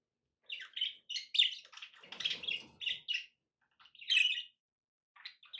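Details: Domestic budgies, more than one bird, giving a run of quick, scratchy warbled chirps in close succession, a brief rough low rasp midway, then a louder squeaky tweet and a few soft chirps after a short pause.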